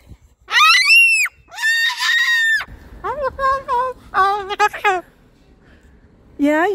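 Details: Moluccan cockatoo vocalizing outdoors while carried on a walk to a park: long raspy screeching notes followed by quicker wavering, bleat-like syllables, with faint traffic-like rumble between phrases.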